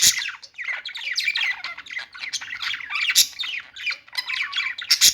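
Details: Budgies in nonstop chatter of scratchy squawks, sliding whistles and squeaky chirps, with a few loud clicks and snaps cutting through.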